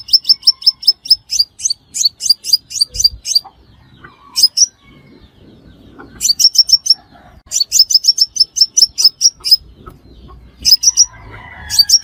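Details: Crimson sunbird calling, a recording meant as a trapping lure: long runs of sharp, evenly spaced high chirps, some series a dozen notes long, broken by short pauses.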